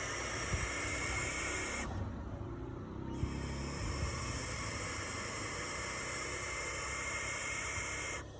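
Barn owls give long, harsh, hissing screams that run on with one brief break, over a low rumble in the background.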